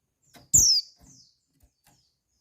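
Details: Female white-eye calling to excite males for breeding: one strong, piercing whistle falling in pitch, a brief faint note after, then another call beginning at the end.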